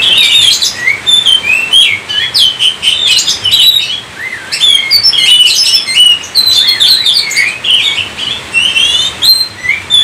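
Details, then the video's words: Oriental magpie-robin in sustained, energetic song, repeated bursts of sharp, upswept whistles and chattering notes, with rising and falling phrases over about ten seconds. "Kacer COVID-20 mampu sebarkan virus gacor kacer Anda"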